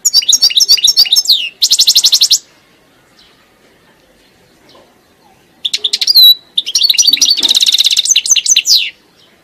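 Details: European goldfinch in lively song: fast liquid twitters and buzzy rattling trills in two long bursts split by a quiet gap, with high sweeping notes mixed in.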